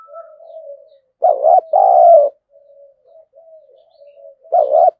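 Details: Spotted dove used as a lure bird to provoke wild birds into fighting; loud paired coos, a short wavering note then a longer falling one, with softer coos between.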